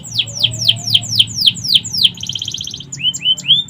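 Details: Canary song with mimicry of the sikatan londo flycatcher, used as a master recording for training songbirds: a run of sharp downslurred whistles about four per second, then a fast buzzy trill and a few rising notes. A low hum runs underneath.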